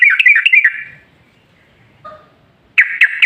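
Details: Yellow-vented bulbul lure song meant to set other bulbuls singing: a short burst of bubbly, warbled notes, a long near-silent gap with a faint tone, then an abrupt loud chattering burst.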